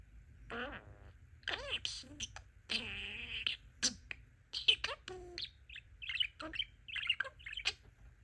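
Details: Pet male budgerigar, very talkative, chattering mimicked speech: several buzzy, harmonic word-like phrases in the first half, then quick high chirps and warbled squeaks filling the rest, with short pauses between bursts.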